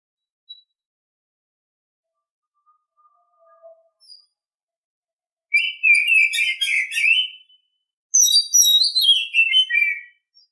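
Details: Morning song of an Oriental Magpie-Robin: after a few faint notes, two loud bursts of rich, fast warbling with varied whistles and trills, each lasting about two seconds, with a brief pause between.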